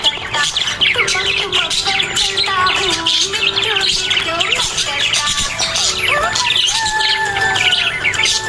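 Budgerigars chatter in a dense, busy stream of high chirps and warbles over background music.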